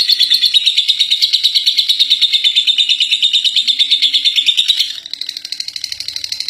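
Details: Contest-winning lovebird giving its long ngekek song: a dense, rapid chatter of high notes pulsing about three times a second, steady for nearly five seconds before dropping to a softer, quieter run of notes.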